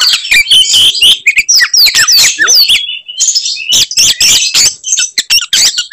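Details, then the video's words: Oriental magpie-robin in fighting mode, singing its characteristic 'tembakan' bursts meant to enrage other magpie-robins: a dense, rapid stream of loud whistled and buzzy notes, sharp upslurs and trills, with a brief pause mid-phrase. "kacer gacor tarung bongkar materi tembakan khas bikin kacer lain NGAMUK dan EMOSI"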